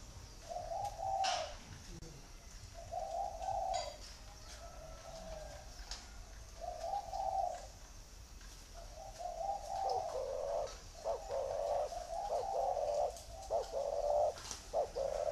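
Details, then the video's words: Spotted dove giving "thổ" style coos. Low, mellow phrases about two seconds apart, with later ones longer and louder and several coos running together near the end. There is a faint hiss and some clicking. "gù thổ"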